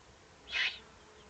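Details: Near the nest site of a Eurasian eagle-owl in Germany's Eifel region, 31 May 2020, one short rasping hiss rises out of near silence and fades within a third of a second.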